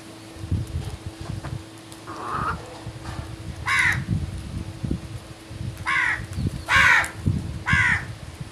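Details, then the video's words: Crows calling in the morning: harsh, hoarse caws, four loud ones in the second half, roughly one per second, with a fainter caw before them, over steady low rumbling background noise and a constant hum. "Birds Morning Sounds | Crows World | Crows beautiful Planet"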